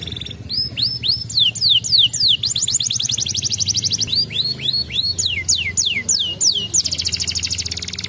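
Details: Canary singing a lure song meant to prompt other canaries to answer: loud, rapid song of repeated high downslurred whistles and fast buzzy trills, with phrases changing every second or so over a steady low hum.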